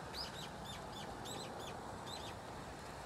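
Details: A single brown-eared bulbul, probably very old, calls from inside an osmanthus tree it visits from autumn to early spring, giving soft, cute, chick-like notes: short high chirps in quick bursts, some doubled, over a steady low background hum.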